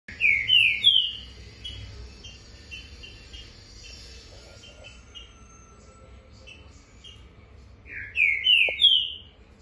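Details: A male green-winged saltator, a competition bird and 2019 COBRAP Brazilian champion, sings loud, rich whistled phrases of three or four quick slurred notes about eight seconds apart, with softer chips between, on a Tuesday the 16th, eager to compete.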